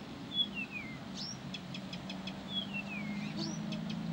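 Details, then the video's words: Blyth's reed warbler singing nonstop: slow descending whistled slurs alternate with short clicking ticks and a rising upslurred note, over a steady low engine hum. "САДОВАЯ КАМЫШЕВКА НЕ В СИЛАХ ПОМОЛЧАТЬ!"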